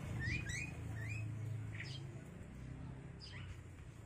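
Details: Five-day-old Javan myna chicks in a cage, fed in turn by the free-flying male and female parents, who bring grasshoppers and caterpillars. Thin, rising chirps repeat quickly in short runs over a steady low hum.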